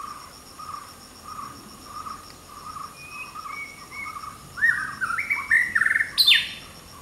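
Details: A White-rumped shama singing in the woods of Coorg: rich, varied phrases of rising and falling whistles that grow louder near the end, over a steady background hum of insects.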